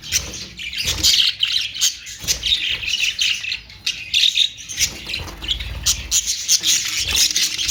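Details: A steady flock chatter of budgerigars: continuous high twittering and raspy squawks, pulsing in quick irregular bursts throughout, with a low rumble near the sixth second.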